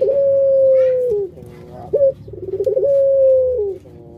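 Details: Kept puter pelung dove from Indonesia gives two long coos. Each is a sustained even note slipping lower at the end, linked by a short upward note and rapid stuttering pulses.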